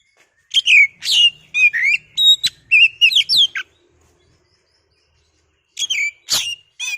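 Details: Kacer, the oriental magpie-robin, used as a lure to excite another bird into song: a run of clear whistles, quick slurred chirps and sharp notes for three seconds, then silence before a short final burst.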